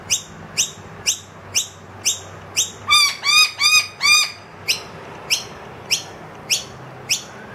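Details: Wild noisy miner demanding food loudly from an empty feeder indoors, accompanied by two young; fast repeated high chirps, broken midway by a burst of harsher, lower, stacked notes before the chirping resumes.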